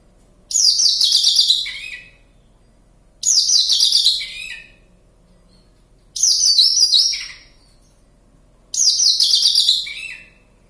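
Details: A Javan bush lark in the wild around Kediri, Java, sings actively, repeating four similar phrases of fast, sharp, high twittering roughly every three seconds. Each phrase falls slightly at its end, against a quiet background.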